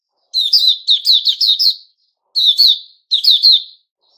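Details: Sooty-headed bulbul (Puteh Raja), a captive bird taped on 10 July 2021, gives a fast run of six sharp, downslurred chirps. Two shorter three-note bursts follow after a pause.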